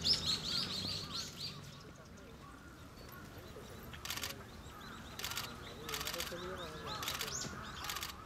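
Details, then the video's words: A Daurian redstart (Phoenicurus auroreus) gives a few high thin chirps, then dry clicking tacks about once a second, with faint voices and background murmur. "ジョウビタキ 03 Daurian Redstart 03"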